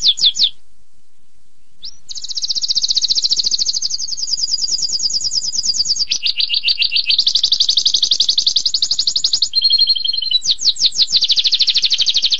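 A canary sings a long, unbroken stream of high, rapid trills, shifting between buzzy rolls and sweeter chattering phrases, with no other sounds.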